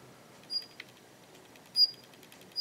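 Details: Daurian redstart calling in a garden, a thin, high, pure whistled note heard twice with a short dry tick between, over a quiet background.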